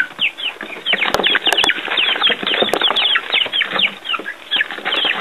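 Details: Chicks outdoors for their first time, with earthworms: many young chickens peeping together, high descending cheeps overlapping continuously, plus a few sharp tapping clicks.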